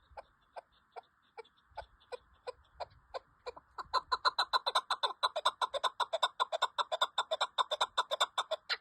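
Chukar partridge giving a rapid series of harsh, clucking chuk notes that speed up and grow louder, about two to three per second, building into a steady chatter.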